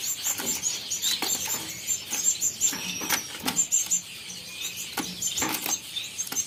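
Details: Albino red-eyed cut-throat finches, caged birds, giving a steady stream of high, thin chirps and squeaky twitters with clicks and wing flutters.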